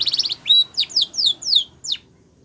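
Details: Spanish Timbrado canary song for training: a quick rattling trill gives way to a sharp whistle, then long, drawn-out descending slurred notes spaced about a quarter second apart, ending in a falling note and quiet.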